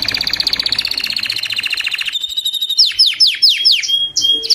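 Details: Crested white Belgian canary in song, a rapid buzzy trill giving way to a series of quick downward-sweeping whistles and a few clear high notes.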